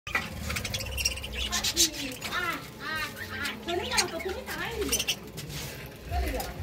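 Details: Pair of budgerigars chattering: rapid, scratchy warbling with curved, harmonic-rich notes and clicks running continuously, with a steady low hum underneath.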